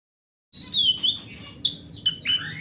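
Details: Oriental magpie-robin, a large-bodied wild-type bird kept at home, singing as a lure to prompt other magpie-robins to sing: clear whistled notes near 3–4k sliding downward, then scattered sharp rising and falling phrases with short pauses.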